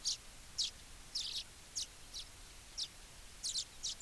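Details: Sharp high chip notes of a baya weaver, about eleven in four seconds, some doubled, against steady background hiss.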